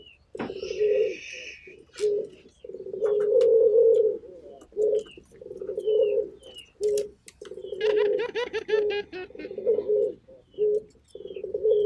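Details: Lively local turtle dove repeats short, throaty coos and longer rolling coos in quick succession. High chirps and a fast trill from small birds mix in.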